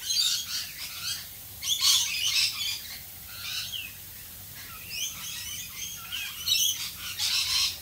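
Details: Rainbow lorikeets calling in the rain in Australia, loud bursts of shrill screeching chatter alternating with quieter gaps and a few clipped high chirps.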